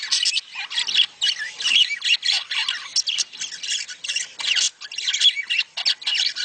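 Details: Mating calls of budgerigars played to prompt breeding. Harsh squawks alternate with chirruping warbles in quick pulses, several voices overlapping with brief gaps.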